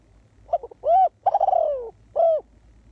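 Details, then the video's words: Spotted dove calling as a ground decoy for trapping wild doves. A full phrase of soft stuttered notes, then a rounded coo, a long wavering note that falls in pitch, and a closing coo. "The Cu Gáy Mồi Đất"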